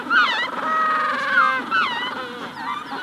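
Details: Magellanic penguins in a colony at hatching stage bray loudly, long harsh donkey-like notes followed by short honking bursts, with a faint thin Rufous-collared sparrow note behind them.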